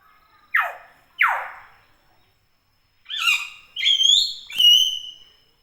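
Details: Common hill myna, known locally as beo, giving two loud, harsh, falling notes. These are followed by three sharp, ringing whistled calls in a higher register, all spaced by short silences.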